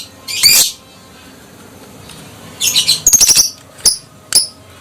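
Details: Adult fighter lovebird calling ngekek to lure silent lovebirds into replying: a loud harsh high burst, a pause, then a quick run of sharp shrill chirps and two separate upswept notes, with faint background hiss.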